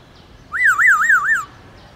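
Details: Wild-style song of a Black-throated laughingthrush, meant to push captive birds to sing: one clear whistle warbling up and down four times in about a second over quiet background.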